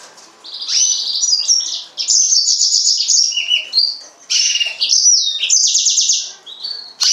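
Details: Yellow-fronted canary (green singer) song: fast, varied high twittering phrases with trills and slurred whistles, delivered in bursts of one to two seconds separated by short pauses.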